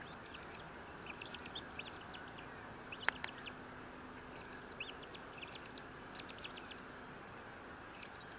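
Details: Bald eagle calling at the Fort St. Vrain nest on 18 April 2024. Bursts of quick, high, piping chips run through the clip in several separate series, with one sharp click near the middle and constant static-like hiss.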